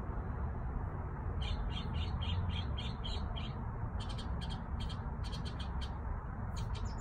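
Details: Backyard birds singing: a run of short, evenly spaced high notes about four per second, then a burst of sharper, clipped chirps, over a steady low rumble.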